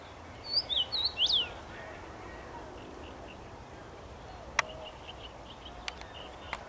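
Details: Common rosefinch in a tree on 23 May 2021 whistles one short phrase of four or five sliding notes, then a quiet stretch broken by a few sharp clicks and faint distant chirps.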